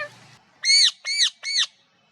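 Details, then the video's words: Parrot giving three loud, harsh, arched squawks in quick succession, each about a quarter second long, after a brief faint murmur; otherwise quiet. "Parrot natural live voices"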